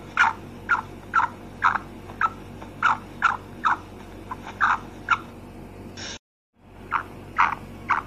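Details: A female black francolin gives short, rough notes about twice a second, broken by a brief cut to silence before the calling resumes.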